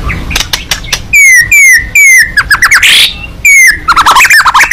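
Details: White-rumped shama, a fighting bird singing with open beak; loud bright whistles sliding downward, repeated in bursts, mixed with sharp rapid chips and a harsh buzzy note, over low background rumble.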